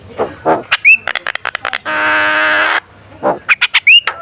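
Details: Javan myna, model song for contest birds: hoarse notes and clicks around a long nasal buzzy drone, with bright upward-sweeping whistles at the start and end.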